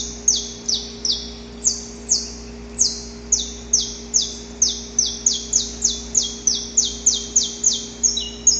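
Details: Wild saffron finch: an extended chain of about twenty loud, high notes, each dropping in pitch, delivered evenly and speeding up slightly toward the end, over a faint background hum.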